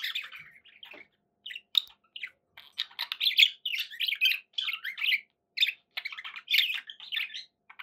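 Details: Indoor pet budgerigars trade short chirps and scratchy warbled phrases, starting sparse and building into a dense, lively chatter of rapid notes.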